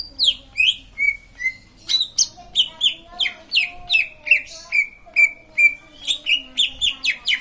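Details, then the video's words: Continuous green leafbird song of rapid whistled notes, some sweeping down steeply, others held level, delivered at a brisk, slightly uneven rhythm throughout. "Burung cucak ijo lain pasti ikut bunyi"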